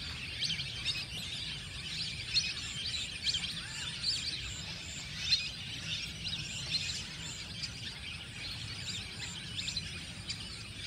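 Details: A flock of lesser whistling ducks (Dendrocygna javanica) in a paddy field keeps up a steady chatter of thin, high whistles, many overlapping, over a soft rural background hiss.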